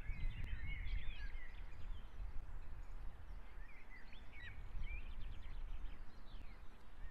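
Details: Estonian osprey nest on a live camera, 22 June 2017, late afternoon, as a fish is delivered. Quick bursts of high, thin chirping whistles come in clusters at the start and the middle, with wind rumble underneath.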